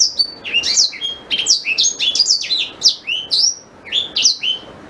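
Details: A black-throated canary sings a dense, unbroken stream of high twittering notes. Short whistles slur up and down in rapid succession for nearly five seconds, with only a brief dip near the end. The song serves as a tutor for white-rumped shama.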